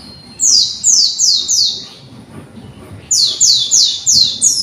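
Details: Young white-eye under conservation care, learning its song: groups of four loud, high, sweeping downslurred notes delivered about three per second, separated by a short silent gap, then a second matching group.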